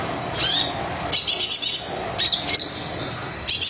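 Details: Brown-throated sunbird lure song for reluctant singers: piercing high chips and a half-second rapid trill, followed by squeaky upslurred notes, with short silent stretches between bursts.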